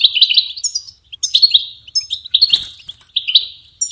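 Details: Lively European goldfinch song for songbird training, a near-continuous stream of twittering chirps and short buzzy trills with high squeaky notes interspersed, and a brief click partway through.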